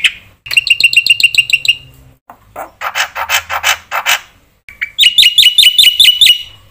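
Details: Black-winged myna, used to provoke other mynas to sing: a rapid trill of ringing notes, then harsh pulsed phrases, and finally a string of sharp, upward-flicking whistles.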